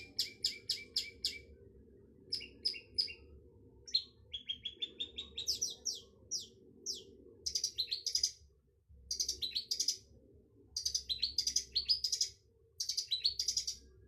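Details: Long-tailed shrike mixing rapid chattering chirp series with thin rising and falling whistled notes and harsh bursts, sung in varied phrases over a low continuous hum.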